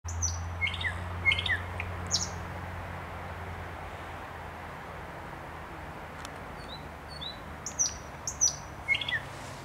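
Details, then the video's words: Thrush nightingale song recorded on 29 May 2021: scattered sharp high notes and short down-slurred whistles in bursts at the start and end, separated by a quiet stretch, over a steady low hum. "Śpiew słowika szarego"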